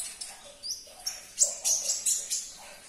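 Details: Sunbird song for prompting a caged sunbird to respond and sing: sharp, very high chirps and short whistled slurs, some rising, in quick uneven bursts.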